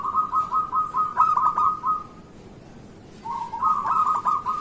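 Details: Local zebra dove in strong morning song meant to lure others: a two-second string of quick rippling coo notes, a pause of about a second, then another fast rolling trill that builds in loudness.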